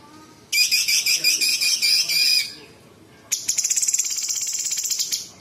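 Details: Cucak cungkok bulbul pouring out imitation song of small birds, large birds and insects: a loud rough, buzzy high phrase, a pause, then a long fast ticking trill slowly fading.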